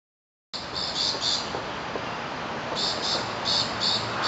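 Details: Rainbow lorikeets from a noisy foraging flock of at least 10 in Bishan Park give shrill, screechy chattering notes in two quick bursts, several notes each, over a steady background hiss.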